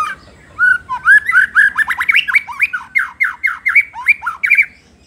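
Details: White-rumped shama in full energetic song, meant to provoke rival shamas: a rapid, loud run of whistled, slurred and chattering notes, about fifteen quick phrases packed into four seconds, sharp and varied, with no other clear sounds.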